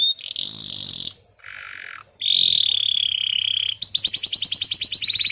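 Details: Canary training song for young birds and birds that stopped singing: long buzzy held notes separated by a lower tone, then a fast repeated trill.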